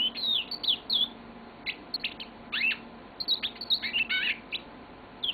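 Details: Long song of a pet yellow-fronted canary: quick high twittering phrases with sweeping whistled notes and short trills, delivered in dense bursts with brief gaps, faint low indoor hum beneath.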